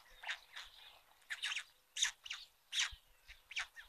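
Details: White storks on a chimney nest in Ságvár, Hungary, on a live nest cam at the first feeding of the day, 22 May 2022. They give about eight harsh, raspy, fairly high-pitched bursts in four seconds, unevenly paced.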